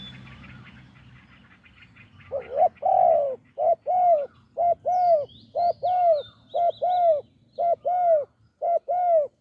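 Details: Wild spotted dove with a deep voice, recorded during decoy trapping on a branch in Thailand; after two quiet seconds, deep hollow coos come in short-long pairs at a steady pace, about one per second, with faint high ticking behind.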